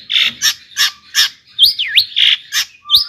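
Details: Long-tailed shrike singing to provoke other shrikes: broad harsh rasping notes alternate with a swooping whistle that falls and rises sharply, then a final upward slur.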